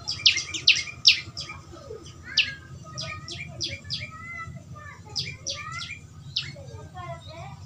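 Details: Three strong high chirps open a run of softer repeated chirps and twittering from a young prinia, natural sound used to prompt a bird into song; low hum underneath.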